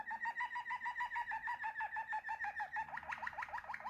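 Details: Rapid bubbling water-like phrases from a Waterslager canary, short hooked notes repeated steadily about seven per second, turning into quicker rising slurs near the end.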